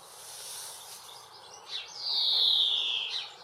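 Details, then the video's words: In a UK garden, a female European greenfinch gives a single long nasal wheeze that drifts gently downward in pitch, preceded by a brief faint chirp. "Greenfinch Call"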